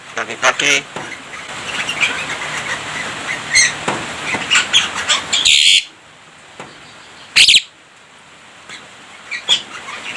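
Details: Javan myna chattering song with mimicked human speech and coughs; scattered clicks and harsh noisy bursts, with quiet pauses between.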